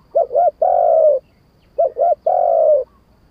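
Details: Wild-style 'kharom pa' song of a spotted dove: two short bouncing coos leading into a long drawn, gently descending coo, given twice in clean, quiet conditions.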